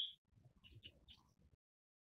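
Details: Forest wagtail (Dendronanthus indicus) giving a brief run of sharp, high, thin notes over about a second and a half, with a soft low rumble underneath.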